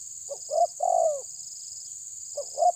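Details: Spotted dove pressing a rival with a short bout of cooing: a double note and a long, slightly falling coo, then the start of another phrase, with a constant high-pitched hum behind.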